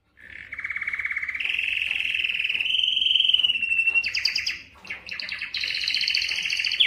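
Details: Belgian canary singing to excite hens for mating: rapid pulsed trill rising gradually in pitch, a smooth rolling passage, then choppy high rattles separated by short breaks.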